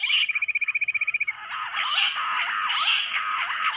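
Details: Bush quail drawn in by mobile phone calling: a brief pulsed high whistle, then a lively run of loud, clipped chirps that dip and rise, repeated about twice a second.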